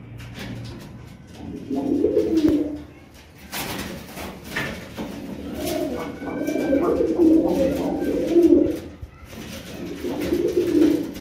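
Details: Pigeon cooing indoors, low throaty rolling coos around 2–3, 6–9 and 10–11 seconds, soft and muffled, with a faint room echo and brief clicks and rustles between phrases.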